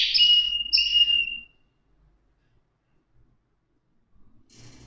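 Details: Canary giving two bright, high buzzy phrases, the second ending in a long steady whistled note, then silence with faint rustling at the end.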